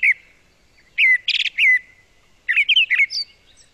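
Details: Brown Thrasher, a spring migrant in southern Quebec with many different songs: short bursts of varied, chirpy and buzzy phrases, each quickly changing, with brief pauses between groups.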